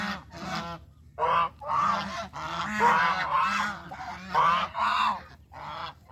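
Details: Geese on a farm walking together as they look for food, uttering bursts of raucous nasal honking from several birds, loud stretches broken by brief near-silent pauses.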